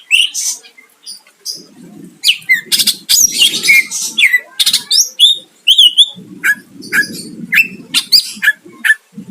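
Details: Greater green leafbird singing to provoke a rival, with a rapid stream of sharp whistled chips, buzzy rattles and slurred notes, over a low background hum.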